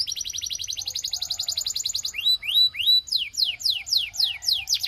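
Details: Belgian canary singing, played to make other canaries sing: a fast run of rapid high trills, then a series of clear descending whistled slurs repeated about three per second.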